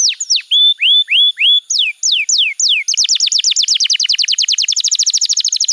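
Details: Training song of a canary for young canaries: rising whistles and falling sweeps at a slow pace, then a long, accelerating run of rapid descending notes.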